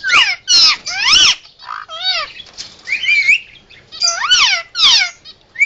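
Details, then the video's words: Captive Indian ringneck parakeet giving emergency sounds: loud raspy squawks with arching harmonics, a few short wavering whistles, delivered in uneven bursts with brief pauses. "Indian Ringneck making Emergency Sounds"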